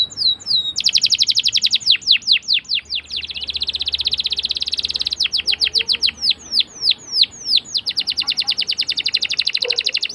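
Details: Canary in full long rolling song, offered as a lure for young canaries learning to sing; high rapid trills alternate with series of slower, descending swept notes, continuous for ten seconds.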